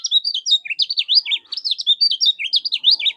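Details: Kecial kuning, or yellow-bellied warbler, in moult, sings a continuous energetic stream of high zigzag whistled notes. Rhythmic, slurred up-and-down phrases repeat quickly without a break. Used as tutoring song for competition birds.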